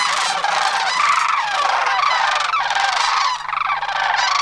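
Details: Loud, continuous chorus of sandhill cranes in Homer during September 2009 migration: dense overlapping rolling bugles and rattles with no break, from a flock of about a hundred birds.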